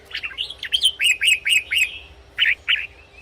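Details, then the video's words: Song of a red-whiskered bulbul, for use as a decoy or to liven up caged birds: a rolling series of about six quick, lilting whistled notes, then two separate chirps after a short pause. "เสียงนกกรงหัวจุก สำหรับต่อ หรือ เปิดให้นกคึก เสียงเพราะๆ"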